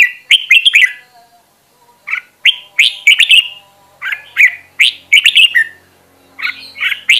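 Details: Red-whiskered bulbul song used in voice training: short bright whistled phrases of two or three notes, repeated roughly every half second to second.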